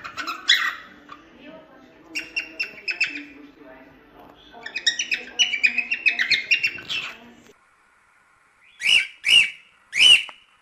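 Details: Cockatiel giving its natural song, meant for training a chick: quick runs of short chattering notes in three bursts, then a silence followed by three loud, sharp, separate calls.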